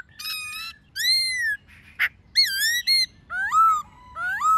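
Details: Laughingthrush (khướu bạc má) singing wild-style song with many voices alongside a female, played each morning to stimulate caged birds to sing: loud clear whistled notes, some slurred downward, others rising, with rich overtones, a short buzzy note between.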